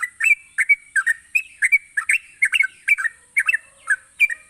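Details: Lively yellow-vented bulbul song, used to tempt sluggish birds into singing: rapid clusters of liquid, slurred notes in pairs and triplets, densely spaced, over a continuous thin high hum.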